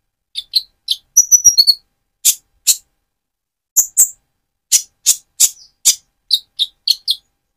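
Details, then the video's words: Van Hasselt's sunbird, speckled young-plumage bird moulting to metallic feathers, singing energetically to provoke another bird; scattered thin, high chips and brief ticking notes, with a short rapid twittered run early, spaced irregularly across seven seconds. "Burung Konin trotol gacor untuk pancingan menaikan mental emosi kolibri ninja"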